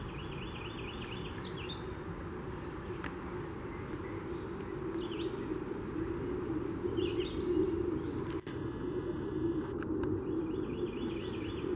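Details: Yellow-rumped Warbler singing loose, sweet trills of quick high notes, one phrase dropping in pitch, in Macon, Georgia, on April 16, 2016; Northern Cardinal, Red-eyed Vireo and Carolina Wren also heard, over a steady low rumble.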